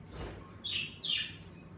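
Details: Indoor pet budgerigars, lively in warming weather, heard in a bird room as two short, bright chirps with a brief fluttery sound between them.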